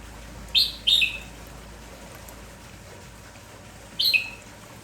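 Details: Morning-lively kampong Red-whiskered bulbul repeating calls: two loud high chirps a third of a second apart, silence, then a further doubled chirp, all clear above a faint steady hiss.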